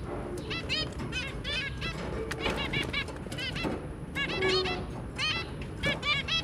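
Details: Zebra finch family, a pair with their three babies, recorded 23 January 2022; short nasal, harmonic-rich calls repeated in quick clusters over steady broadband background noise and faint rustling.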